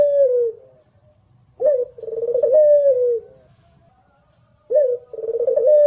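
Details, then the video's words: Local Barbary dove of the pelung contest type, recorded for tutoring: the tail of one long coo, a silent pause, then a brisk rising note and a lengthy descending coo, and another phrase beginning at the end. "Masteran Puter lokal power rapet jernih"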